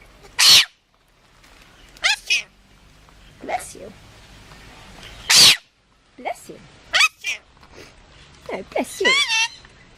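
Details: Pet parrot imitating human speech, saying "bless you" after sneezing; several short bright bursts including a loud sneeze-like noise and squeaky, wavering spoken phrases, with a person talking to it indoors.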